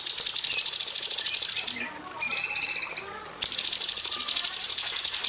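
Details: Female cucak cungkok bulbul in an aviary, used to train magpie robins, giving rapid-fire high buzzy pulses in 'tembakan rapat' style, interrupted by one short nasal, harmonic call before the fast pulses return.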